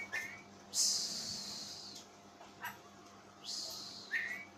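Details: Oriental magpie-robin whose unusual voice scares its owner, letting out two long, loud, breathy rasping hisses, each ending in a short whistled note, with brief clicks between, over a low hum.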